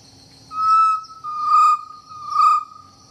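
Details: Chestnut-necklaced partridge, recorded handheld from close range: three long, pure whistled notes at an even, steady pitch, each lasting about half a second with short gaps between, clear against a quiet background.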